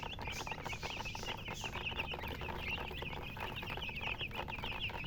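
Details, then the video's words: Chicken chirping sounds: a crowded flock giving quick, high, wavering peeps almost nonstop, layered over one another above a soft background drone. "silly chicken chirping sounds"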